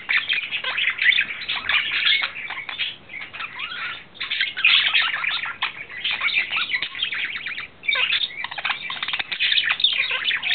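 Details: Lovestruck male budgerigar singing in April 2009: bursts of rapid scratchy chatter and chirps, with short dips in volume around the fourth and eighth seconds before the warble resumes.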